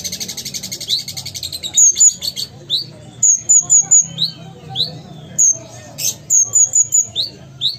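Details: Ruby-cheeked sunbird, a Sumatran bird, opening with a fast buzzy trill, then high descending whistles in runs of three or four, interspersed with upward-flicked notes, over a low background hum.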